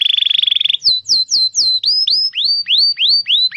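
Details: Canary singing a tutor song meant to prompt young or silent canaries: a fast even rattle trill, then a series of looping whistled notes that sweep upward, repeated about three times a second.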